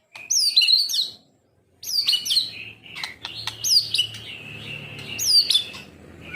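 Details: Kept white-rumped shama of the Medan type sings high, clear whistled phrases with looping slurred notes, broken by a short pause and then repeated in varied bursts.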